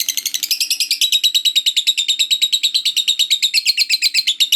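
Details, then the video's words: Lovebird fighter in a long ngekek, its chattering song, meant to prompt silent lovebirds to sing: a continuous rapid, shrill, rattling chatter of evenly pulsed notes that holds steady throughout. "Lovebird Macet Bunyi Langsung Ikut Ngekek Panjang"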